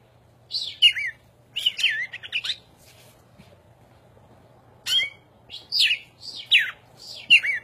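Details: A cardinal perched on a person's shoulder sings two bursts of bright, varied chirps and downslurred whistles, high and quick, separated by a brief silence, over a faint low hum.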